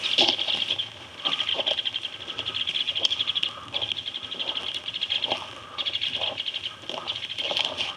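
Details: Both adult White-headed Woodpeckers alarm-scold at people approaching their active nest with nestlings in a snag, Naches Ranger District, Washington: rapid, sharp rattling notes in quick bursts while a man speaks.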